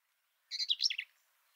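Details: A Black-capped Vireo at Kickapoo Cavern State Park, Texas, sings one quick, jumbled song phrase of about half a second, with mixed high chattery and squeaky notes, against a quiet background.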